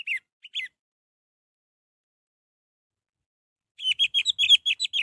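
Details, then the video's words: Orange-headed thrush, recorded to get a reluctant bird singing: two short whistled notes, a pause, then a quick run of about ten bright, clipped whistles. "Untuk memancing Anis merah yang malas bunyi"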